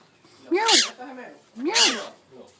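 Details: Rose-ringed parakeet learning to talk, mimicking a cat: two loud harsh meow-like calls with arched harmonics, about a second apart, in an indoor room.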